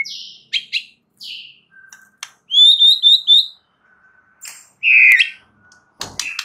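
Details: White-rumped shama singing as a lure to spur other shamas into song: varied clear whistles and chirps separated by pauses, including a quick series of four bright rising notes and a loud slurred phrase.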